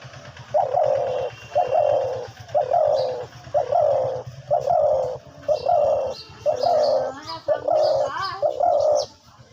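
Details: A young captive hunting (decoy) dove, about 5–6 months old, coos in a steady series of soft, low, hollow notes, roughly one per second, with faint chirps from other birds in the background.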